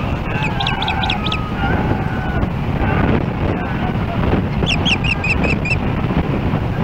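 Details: Osprey on its nest in Hellgate Canyon, Missoula, Montana, July 4, 2016, as another osprey comes in: two bursts of shrill, repeated upslurred whistles, one at the start and one near the end, with loud wind between.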